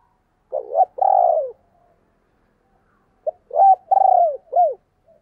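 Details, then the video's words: Spotted dove giving the thúc and gáy gọi calling styles: two groups of low, hoarse cooing notes, each a short rising coo followed by a longer drawn-out one, then a final curved coo, separated by a three-second pause, with a quiet background. "tiếng cu gáy/ thúc + gáy gọi"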